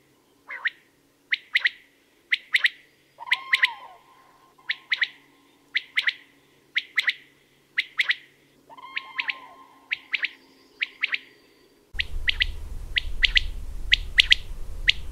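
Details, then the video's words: Common quail giving its sudden, loud, sharp, liquid three-note song, repeated about once a second; a steady lower hum comes in twice, and rushing wind covers the final seconds. "CODORNIZ - COTURNIX COTURNIX"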